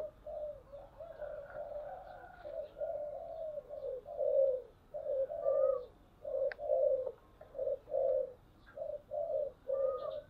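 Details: Spotted dove decoy bird, perched, giving the style of cooing known as thúc bổi: a steady series of short, mellow, low coos repeated about every second with small pauses. Faint higher chirps from other birds are heard.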